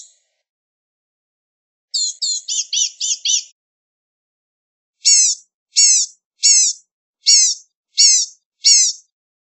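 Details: Blue-gray gnatcatcher delivering a quick run of thin, high twitters, then six evenly spaced sharp downslurred chips roughly every three-quarters of a second, with clean silence between.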